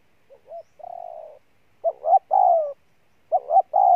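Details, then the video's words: Wild-caught spotted dove giving a strong cooing display: short soft coos, then paired phrases of a brief rising note and a longer falling coo, loud and close. "Con Bổi Gù Trâu Bò nhất năm"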